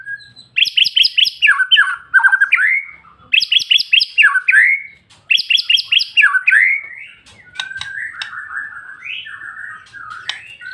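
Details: White-rumped shama (murai batu) pouring out a long song: bursts of loud, varied whistles and sharp chattering notes, repeated phrases every few seconds, followed by lower fluty warbled phrases.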